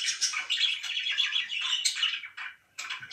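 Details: Indoor pet budgerigars give a rapid run of buzzy, warbled chirps, then fall briefly quiet before a final burst of chatter.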